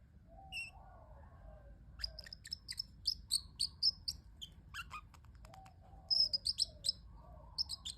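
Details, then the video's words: Pet parrotlet making cute sounds, bursts of rapid high chirps, around three or four per second, alternating with soft low warbled phrases. "parrotlet making cute sounds"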